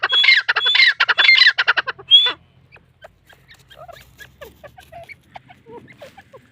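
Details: Grey francolin chicks, known locally as dakni teetar, from Taunsa: a rapid burst of loud, harsh, stacked notes repeated over about two seconds, followed by faint scattered chirps in near silence.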